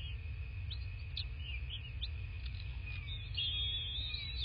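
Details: Bald eagle at a nest in a quiet southwest Florida landscape, February 26, 2024, morning: scattered short high chirps give way to a thin, wavering whistled call over a steady electronic hum.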